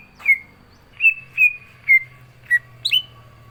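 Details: Caged green leafbird singing hard, prepared to be set beside a rival: spaced, clear down-slurred whistles about every half second, ending in a higher sharp note over a steady low hum.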